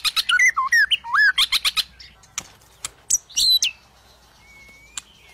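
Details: White-rumped shama in full song, used to get lazy or stalled shamas singing: a fast jumble of looping whistles and buzzy trills, then scattered sharp notes and a thin drawn-out whistle near the end.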